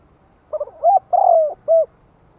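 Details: Decoy spotted dove cooing in the hạp bổi style to excite wild birds: stuttered soft lead-in notes, a rising coo, a long downward-gliding coo, then one clear final note.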